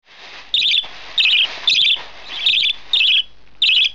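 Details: A one-month-old budgerigar chick begs at feeding time with six harsh, buzzy, high chirp bursts, roughly one every half second, over a steady background hiss.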